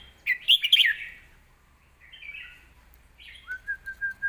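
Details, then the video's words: Red-whiskered bulbul song in the southern Thai competition style, a training recording for young birds: a quick tumbling burst of bright notes, a drawn-out whistle, then a run of five or six short repeated notes. "เพลงเรียกคะแนน น้ำเสียง+สำนวนครบ(ไว้ฝึกลูกนก)"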